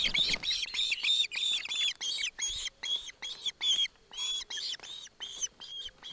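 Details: Osprey chick in Barlinecka Forest, with its mother beside it, begging as its father delivers a fish: a dense run of high, harmonic-rich whistled chirps, about three per second, each slightly rising or falling, continuing for the whole six seconds.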